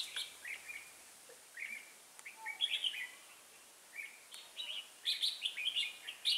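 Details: Red-whiskered bulbul kept as a trapping decoy delivers a combative song: scattered short whistled phrases, some slurred downward, growing louder and busier toward the end.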